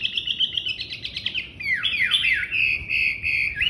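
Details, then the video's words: A Chinese hwamei sings loudly: a fast run of high repeated notes, then swooping slurred whistles and ringing sustained phrases, with no other sounds. "Họa mi hót - cái chủ oang oang"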